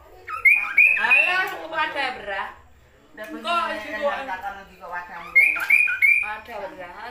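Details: Tepus glagah (Kaso-kaso, Kidangan) in lively song from Indonesia: three bursts of rich, wavering harmonic warbles, each opened by short clear whistled notes, separated by brief pauses.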